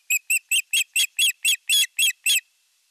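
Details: Osprey at a nest camera in the Satakunta region of Western Finland, 19 July 2022, as the male arrives with a big fish: ten short, high, harmonic whistled chirps, about four per second, then quiet.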